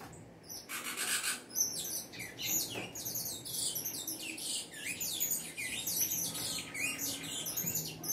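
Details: Saffron finch singing energetically, a long, fast run of high, varied twittering and trilled notes with little pause throughout.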